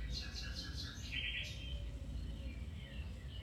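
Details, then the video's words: Domestic canary singing, in a recording made to stimulate a canary to start singing again or to improve its song; quick repeated high chirps, then a dense buzzy trill, over a steady low rumble. "Canary Singing"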